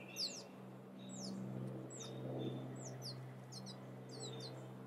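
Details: Thin, descending high peeps of wild turkey chicks, Sierra foothills, California, spaced irregularly and bunching toward the end, above a soft low hum.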